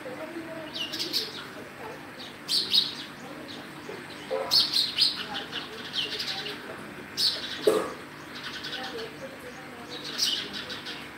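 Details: Sparrows chirping in clusters of sharp, high twittering notes, with bursts arriving roughly every two to three seconds and quieter gaps between; a lower thud near the middle and a faint steady background hum.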